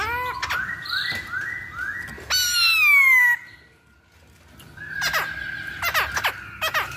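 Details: Chinese hwamei singing as a lure recording; a row of repeated rising whistles, then a bright descending trilled cascade, a pause, and further high ringing whistled phrases with sharp chips.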